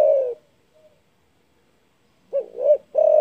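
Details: Spotted dove with a loud call that provokes rivals: the end of a long coo, a pause, then two short rounded coos leading into another sustained coo.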